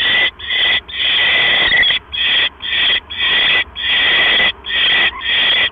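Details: At an owl nest at 9:40 PM on October 12, 2015, as a mouse is delivered: long, grating hissing screeches of varying length, some stretching nearly a second, broken by short irregular gaps.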